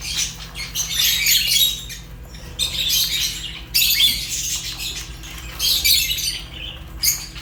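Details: Fischer's lovebirds giving bursts of shrill, scratchy chirping lasting about a second each, separated by brief pauses, with several birds overlapping and a faint constant low hum.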